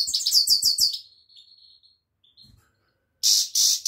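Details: Goldfinch singing a rapid run of bright, liquid twittering notes, then a thin sustained whistle, a pause, and loud harsh buzzy bursts closing the phrase.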